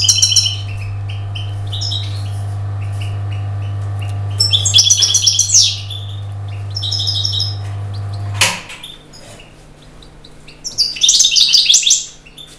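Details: Goldfinch singing high, jangling twittered phrases in quick bursts, with a loud low droning hum in the background that cuts off partway through, leaving quieter intervals between phrases.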